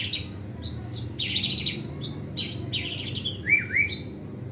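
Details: White-rumped shama kept in a cage, learning gacor continuous song packed with fill-in material: short high chirps and trilled bursts broken by pauses, finishing with two lower rising-falling whistles.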